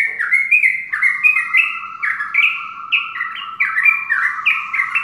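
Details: Sooty-headed bulbul singing in the morning, a run of rich, bubbling whistled phrases rising and falling in quick succession, with fainter chirps from other birds, including zebra doves, behind.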